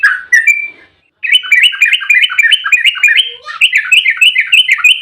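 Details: Agitated, fighting-mood Yellow-vented bulbul in a fast 'ropel' delivery meant to provoke other bulbuls into singing: a brief chirpy opening, a second of silence, then a dense, continuous string of quick, bright, chattering notes.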